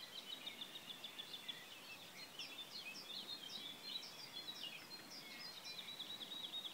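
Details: Woodlark singing at Šobes vineyard, Podyjí National Park, on 12 May 2016: faint, liquid, high notes in quick, loose runs, rising and falling over a soft background hiss.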